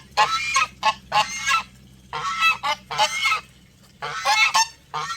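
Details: Geese honking close up, loud resonant harsh calls in quick repeated bursts, several per second with short gaps, a deep low hum running beneath.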